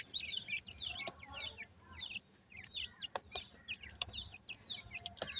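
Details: Grey francolin chicks calling for their mother: bright, high, rapidly repeated peeps from several birds at once, interrupted by occasional sharp ticking clicks.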